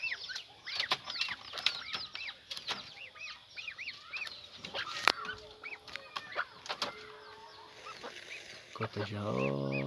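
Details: Young peafowl giving a chorus of arched, high chirps that rise then drop, overlapping in quick bursts; a steady hum runs midway and a loud low rumbling noise comes in at the end.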